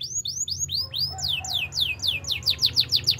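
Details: In the morning a Belgian canary sings a run of arching whistled notes that become sharp falling slurs, speeding up to about four per second, over a low steady background hum.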